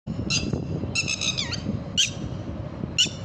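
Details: Red-wattled lapwing giving loud, sharp, harsh notes in short bursts, a quick cluster of several notes followed by single piercing calls about once a second, over a low rumbling background.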